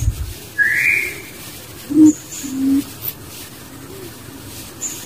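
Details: Out in the wild, a barbet near its young: an upward-sliding whistle first, then two soft, low hooting notes about half a second apart amid steady hiss.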